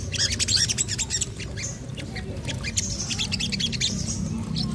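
Orange-spotted bulbul giving rapid, harsh, chattering bursts of high squawky notes, with a steady low rumble underneath.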